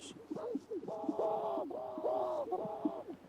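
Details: Male Greater Sage-Grouse displaying at a traditional breeding lek in spring, performing a ceremony to impress mates and intimidate rivals; repeated bubbling, gulping hoots with sliding tones, about every half second, several overlapping, with soft popping notes.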